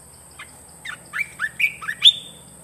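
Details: Red-whiskered bulbul singing a newly added song phrase: a quiet opening note, then about six loud, slurred whistled notes swinging between lower and higher pitch, ending on a high bright note, over a faint steady hum.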